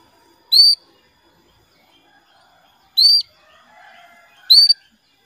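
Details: Female canary calling the male, played as a lure to spur males into song: three bright, slightly rising whistled notes at uneven gaps, with faint soft chatter from other birds between them.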